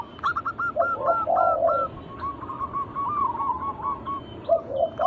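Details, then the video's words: Zebra dove of a local strain sings a lure song for other doves: fast stuttered notes leading into a soft low warble, then a longer trilling run, with light background hiss. "Pancingan burung perkutut lokal alam gacor suara mengundang bunyi langsung emosi"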